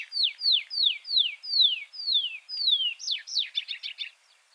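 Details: Tree Pipit song: seven clear, drawn-out descending whistles, each longer than the last, followed by a quick burst of high chattering trilled notes.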